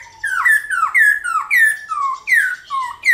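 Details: Black-throated laughingthrush in morning competitive song, used to stir other kept birds to sing: a steady series of loud, rich whistled notes sliding downward, one roughly every half second, alternating higher and lower pitches, with a quiet background.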